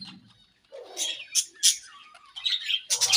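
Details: Budgerigars in breeding season giving sweet chirping sounds: a mix of sharp high chirps, brief chattering warbles and a lower rough note, several overlapping calls in quick succession.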